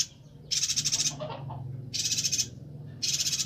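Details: Bornean yuhina song used to train songbirds: three long, raspy chatter bursts of fast pulsed notes, about half a second each, with a softer low murmur between them.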